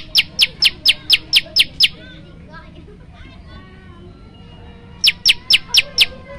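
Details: Prinia, the prenjak lumut, in a varied song meant for training birds. A quick series of eight piercing high chirps gives way to softer chatter from other birds, then a second burst of five chirps.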